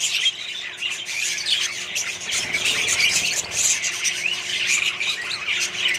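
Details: Colony of Australian budgies mixed with other birds, dense overlapping twitters, squawks and chirps from many birds continuing steadily, with a faint low rumble in the middle.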